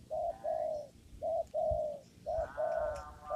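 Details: Spotted dove in a papaya garden, recorded during lure trapping: clear, mellow coos in groups of two notes, a short note followed by a longer drawn-out one, repeated about once a second over quiet rural background.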